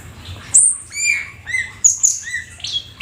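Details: Rare black-winged starling in lively 'gacor full isian' song: a few sliding whistled notes, a sharp high squeak and brief harsh chatter over about three seconds, with a soft low hum behind.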